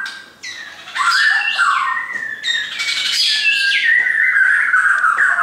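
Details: Shama belonging to a friend, whistling loudly in flowing phrases of sweeping, warbled notes with quick slurs, steady and uninterrupted.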